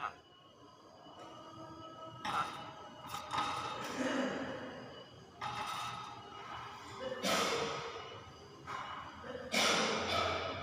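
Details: Common hill myna; song; calling out to a rival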